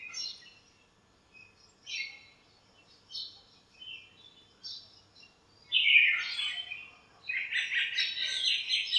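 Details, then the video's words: Morning chirping from birds crowding a backyard lemon tree on a sunny day; short, spaced chirps roughly every second, building into louder, overlapping buzzy twittering near the end. "chirps at morning | backyard bird sounds"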